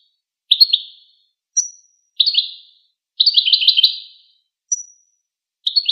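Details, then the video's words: Goldfinch song: lively chattering bursts of high twittering notes mixed with single thin whistled pips, one longer rapid run in the middle, delivered in quick succession. "Empowering Songs of the Goldfinch"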